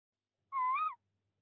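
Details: Breeding tawny owls at a De Mortel nest box, 22 February 2021, as prey is passed from male to female. One clean, harmonic call of about half a second, level then rising and falling, in silence.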